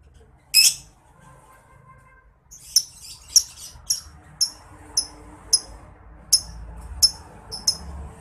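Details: Master recording of a lovebird's ngetik ticking for training songbirds: one loud harsh note, a pause, then a regular series of short, sharp high ticks about every half second.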